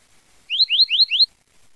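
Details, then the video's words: A double-collared seedeater sings four quick, rising, whistled slurs, each about a fifth of a second, run close together in a clean phrase with no other sounds. "Canto do Coleiro Tui Tui Zel Zel"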